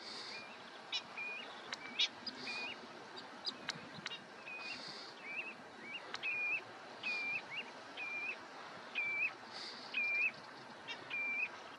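Curlew sandpiper giving short, soft chirruping notes, high and slightly dipping, about one a second at an uneven pace, over a steady background hiss.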